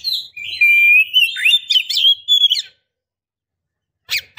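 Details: Female Oriental magpie-robin calling a male to excite him, prompt singing or invite mating; one long whistled phrase, level then wavering and rising, with buzzy accents, followed by silence and a short chirp.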